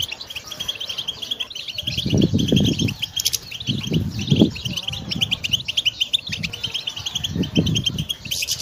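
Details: Goldfinch song for training, fast high twittering and trills throughout, interrupted by repeated low fluttering thumps like wingbeats or movement.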